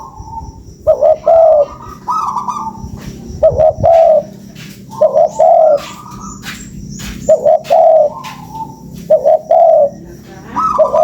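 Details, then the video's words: Spotted dove lure sound: a steady series of cooing phrases, each a higher opening note followed by two or three rounded low coos. The phrases are repeated roughly every two seconds, with light ticking noises. "SUARA PANCINGAN BURUNG TEKUKUR"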